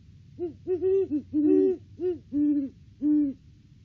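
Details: Great Horned Owl pair, wild, duetting at their nest tree in December before February egg laying; rapid stuttering deep hoots from two overlapping voices, ending in two longer, evenly held hoots.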